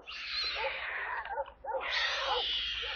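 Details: Stork chicks at a nest in Kaluga Oblast, Russia, on 28 July while being given water: short arched calls repeated about twice a second beneath a loud, broad hissing rush that breaks off briefly midway.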